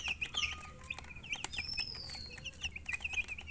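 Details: Baby chickens peeping steadily, with dense runs of short, high, downward-sliding chirps repeated several times a second, a few longer whistled notes mixed in, over a low steady hum.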